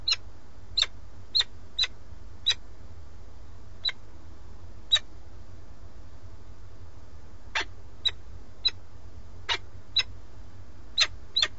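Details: Male peregrine falcon with starling prey calls to the female at the nest in Alcalá de Henares, Madrid, Spain, filmed by live webcam; brief, sharp clicking chips repeated irregularly over about eleven seconds against steady hum.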